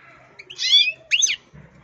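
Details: Angry European goldfinch kept as a pet: two quick harsh, twangy call bursts close together, the second with a sharp upward-then-downward flick, over a faint background hum and a soft thump at the end.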